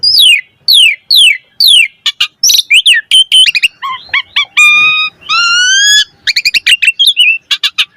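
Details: An Asian pied starling sings in full variety to stimulate other starlings: several sweeping falling whistles, busy harsh chatter, long steady nasal tones, then a closing flurry of quick clicks and squeaks.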